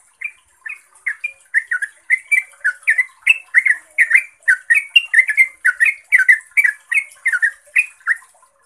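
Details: Long 'ropel' song of a trucuk, the yellow-vented bulbul, used to make other bulbuls answer: an unbroken, hurried series of bright warbled notes, each sharply rising then dropping, about three per second, over a steady high hiss.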